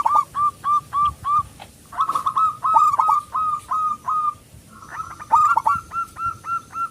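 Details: Local zebra dove with a loud voice, a lure to make other doves sing, gives long runs of evenly spaced hooked whistles at one pitch, broken by denser rolling bursts.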